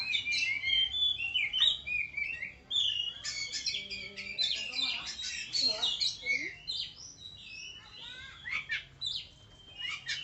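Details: Tame oriental magpie-robin pouring out a rich, fast medley of high whistles, chirps and trilled phrases, varied and nearly continuous, with a few faint lower sounds in the background midway.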